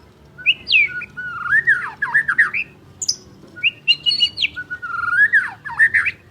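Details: White-rumped shama in full, energetic song, a champion bird, pours out continuous varied phrases: swooping whistles, quick slurred notes and a few harsh high accents, repeated in flowing bursts for six seconds.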